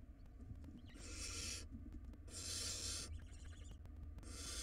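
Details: Barn owl nestlings contesting a very large rodent in a wild nest box, giving long loud rasping hiss-screeches, one with a stuttering tonal quaver between them, against a low constant hum.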